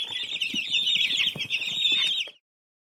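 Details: Crowded high-pitched peeping of baby chicks, overlapping and steady for over two seconds with faint rustles, then cutting off into silence.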